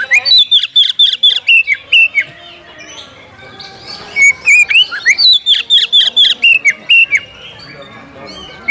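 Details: Oriental magpie-robin calling to find a rival to fight, meant to make birds fired up, tail-spreading and singing their full repertoire; loud bursts of sharp whistled notes, rising and falling, in two long runs separated by a quieter pause.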